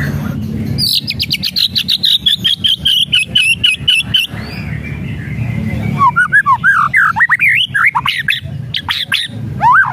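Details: Whistles and rattles of the white-rumped shama, aimed at provoking a lazy bird to sing: a long train of rapid clicking rattles over a thin high trill, followed by loud varied whistled phrases sweeping up and down.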